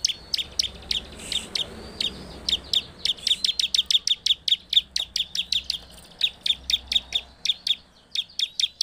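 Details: Bar-winged prinia singing in the intense gacor style, a lure meant to provoke other prinias: sharp, high chip notes repeated rapidly in long bursts, each note dropping steeply, with a faint low hum underneath.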